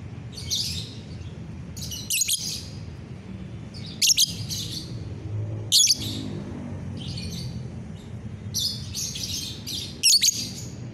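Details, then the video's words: Morning song of a lovebird, 30 November 2021: rasping, high twittering bursts repeated roughly every two seconds, each punctuated by a loud clipped chip, over faint low-frequency background noise. "pagi yang cerah buat GACORAN LOVEBIRD"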